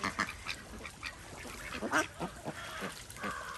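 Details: Desi ducks on a small village duck farm in India, swimming and enjoying a pond; short harsh quacks repeat irregularly, some doubled, against a steady hiss of background noise.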